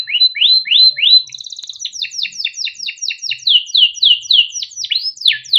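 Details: Young male canary in captivity, song used as a tutor for juvenile canaries, chirping and rolling; repeated rising sweeping whistles, a brief high trill, then a fast series of downslurred chips, about three a second, continuing steadily.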